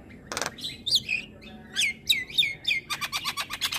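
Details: Javan myna in the morning giving a harsh burst, then a string of slurred, downward-sweeping whistles, ending in a quick run of repeated scratchy notes.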